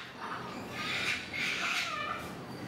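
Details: Sulphur-crested cockatoo giving harsh, raspy squawks across the middle of the recording, with grating broadband bursts and short whistled overtones, all over a steady background hiss.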